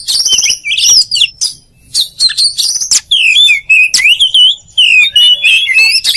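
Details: Oriental magpie-robin song, known as kacer: high whistled trills and looping notes in separate bursts, with brief pauses between phrases.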